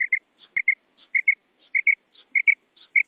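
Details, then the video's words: Calling female quail, a Bedana Sayrashi hunting sound, gives crisp doubled whistles, two quick matching notes per pair, with pairs coming steadily about every 0.6 seconds. A faint higher note precedes each pair, and one soft click is heard. "Real Female Quail Call 2026 / مادی بٹیر کی آواز"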